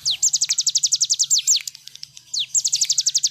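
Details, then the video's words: Cigun bird song meant for tutoring other birds: long fast trains of shrill descending whistles, repeated about four per second, broken by a brief pause before another rapid burst. "cigun nembak nembak cocok buat masteran"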